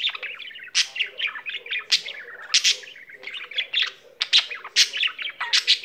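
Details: Pet budgerigar in continuous song: loud, scratchy chattering with frequent sharp squawky bursts between rapid chirped phrases.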